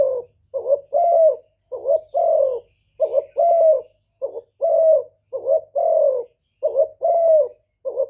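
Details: Spotted dove giving its male-provoking coo in rapid succession. Short stuttered notes alternate with longer rounded coos that dip toward the end, tightly spaced and continuous throughout.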